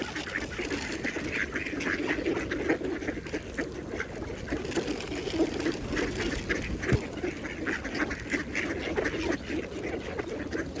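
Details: At a pond, feeding mallard ducks keep up steady, low quacking and splashy dabbling for the whole stretch, with constant background water noise.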